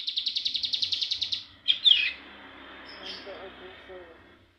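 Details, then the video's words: Young cigun learning the ngebren trill: about a dozen quick, even, high pulses for a second and a half, then two loud sharp chirps fading into soft background sounds. "cigun muda belajar ngebrem ak47"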